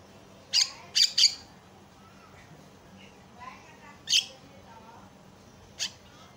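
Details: Javan myna calls from a training recording meant to spur other mynas into singing: a few short, harsh, scratchy bursts, a quick cluster of three and two spaced ones, over a faint low hum.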